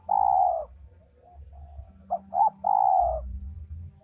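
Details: Male spotted dove giving its coo phrase: a long hoarse coo, then two short clipped notes and another drawn-out falling coo, over a faint low rumble and constant high hiss.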